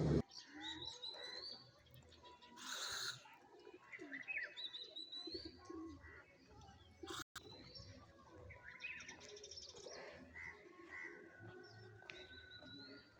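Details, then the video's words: Birds heard outdoors in nature, a busy mix of short chirps and thin whistles at several pitches overlapping throughout, with soft low cooing beneath, a loud rustling burst near three seconds and a brief dropout around seven seconds. "listen birds sound"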